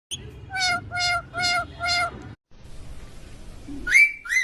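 A ringneck parakeet repeats four quick, voice-like syllables in a steady rhythm, then after a pause gives two sharp rising squawks; a faint low hum underneath.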